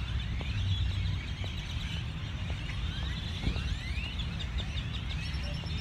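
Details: A flock of grackles around the Hancock Center in Austin, Texas, gives overlapping squeaky, rising whistles and chatter throughout, over a steady low rumble of wind or traffic.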